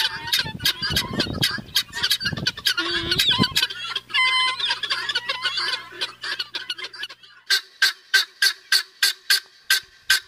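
Guineafowl give harsh, grating cries, first in an overlapping clamor, then as a steady run of rasping notes about three per second.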